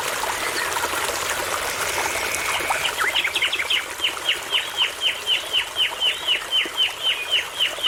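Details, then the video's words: Nightingale song by a babbling brook in a forest: after a soft start, a loud, regular run of identical downslurred notes, about four per second, rings out over rushing, trickling water. "Relaxing Sounds of Nightingales and Birds Singing Near a Babbling Brook."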